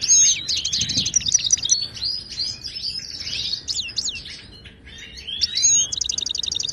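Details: Moroccan wild goldfinch in full song, meant as a singing lesson for caged goldfinches: dense tumbling twitter of chirps and buzzy slurs, closing with a fast, evenly repeated metallic trill.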